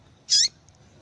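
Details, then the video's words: A female yellow-bellied seedeater calls once: a single loud high chirp with a short warbling sweep, followed by two tiny faint ticks, against a quiet background. "Fêmea de Papa capim Chamando Muito !"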